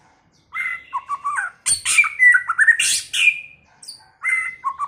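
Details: White-rumped shama singing in many voices: loud, varied phrases of clear whistled notes stepping between low and higher pitches, broken by harsh, rasping high bursts, in three bouts separated by short silences.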